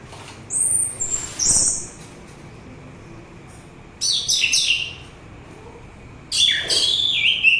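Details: Song of an orange-headed thrush, a recording used as a lure: three bursts of high, fast, twittering notes separated by pauses of about two seconds, with a thin continuous background tone.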